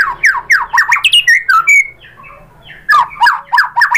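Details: White-rumped shama lure song meant to trigger rival shamas into singing: rapid harsh squawky notes in bursts, a quieter pause in the middle, then loud chattering phrases resume.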